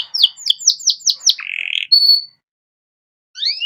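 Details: Canary master song for young songbirds: six evenly spaced falling chirps, a low buzzy roll and a level whistle, a silent gap, then a rising slur.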